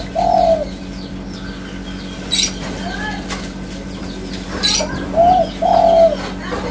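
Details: One hollow coo, a quiet pause with clicks and faint chirps, then a spotted dove phrase of a short note and two longer, mellow coos.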